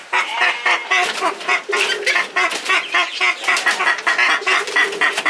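Purple swamphens squabble with harsh, nasal, clucking calls, about four a second, several birds overlapping in a rough cackling chorus.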